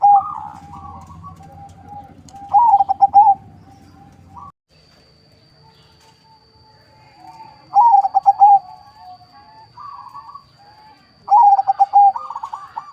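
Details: A crossbred zebra dove (local × Bangkok) kept as a lure bird by a breeder in Bekasi, West Java. It delivers three separate bursts of rapid, stuttering mellow coos, each several seconds apart, with brief softer notes between them.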